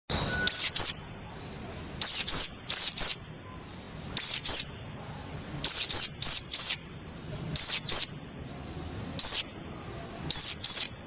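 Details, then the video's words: Wild forest white-eye, recorded as a tutor track for training captive birds to start singing: sharp, very high whistled notes sliding downward, delivered in short bursts of one to three roughly every one to two seconds. "Suara Masteran Pleci Ngalas Agar Cepat Buka Paruh"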